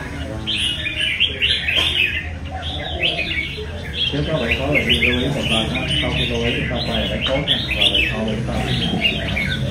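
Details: Competition Red-whiskered Bulbul in a cage, described as hardworking at singing, pours out a continuous run of rising and falling whistled phrases while people talk nearby.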